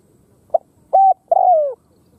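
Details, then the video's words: A single three-part phrase from a Khmer spotted dove: a brief soft lead-in, a steady level coo, and a drawn-out falling croo. Nothing else is heard. "Khmer Spotted Dove Sound លលកខ្មែរសម្លេងល្អណាស់"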